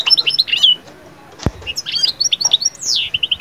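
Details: European goldfinch song meant to rouse moulting birds into summer breeding mood: quick, high, tinkling twitters and sliding notes, interrupted midway by a single sharp click, then rapid repeated chirps.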